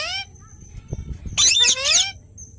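A parrot gives a brief rising screech, then a burst of harsh, harmonic-rich squawks and chirps after a pause; faint background murmur.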